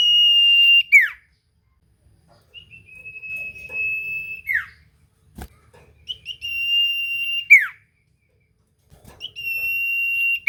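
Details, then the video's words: Lure song of a common iora to make others reply: long, drawn-out level whistles, each closing with a quick descending note, repeated about every three seconds with silent gaps and one sharp tap. "Suara Burung sirtu cipoh gacor pancingan paling Handal bikin sirtu lain langsung nyaut"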